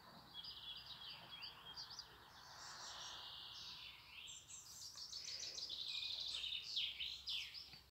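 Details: European robin song in a noisier setting: high tinkling, sliding whistled phrases run almost continuously over a steady background hiss, growing louder toward the end.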